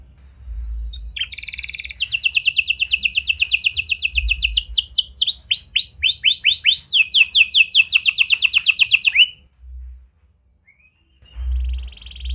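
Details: Lure song of a vigorously singing canary with unusual cengkok phrasing, to prompt silent birds: a brief buzzy opening, then fast trills, arched whistled notes and a sharp rolling trill, followed by near-silence and a faint note.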